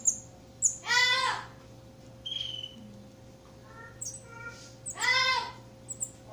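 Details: Young campo troupial (Icterus jamacaii) begging while fed by an adult: two harsh, rasping, broadband bursts about four seconds apart, between brief high chirps, short whistles and soft squeaks, over a low constant hum.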